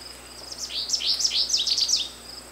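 An American goldfinch sings a quick, high jumble of twittering, sweet notes lasting about a second and a half, over a faint steady insect drone.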